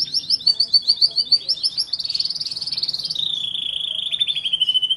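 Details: Canary singing loud rapid trills: a fast stream of high pulsed notes sliding slightly lower partway through, ending in a steady rolling trill.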